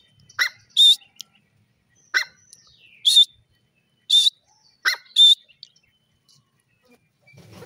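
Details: Grey francolin call: loud, harsh, high notes, each led by a short sharper note, repeated in pairs roughly every second with quiet gaps.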